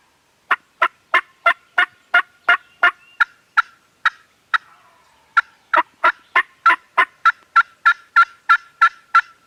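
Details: Turkeys gobbling on a farm, recorded with a Canon G7X camera: loud, sharp gobble bursts repeated about three times a second, a brief pause near the middle, then another fast run of bursts.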